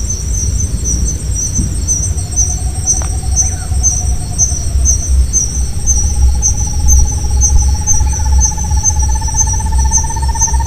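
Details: Night song of a Buff-fronted Owl in the Caatinga scrub of the Alagoas sertão, Brazil: a rapid mellow trill that runs about two seconds, pauses briefly, then resumes as a longer, slowly rising trill to the end, with steady cricket buzzing behind.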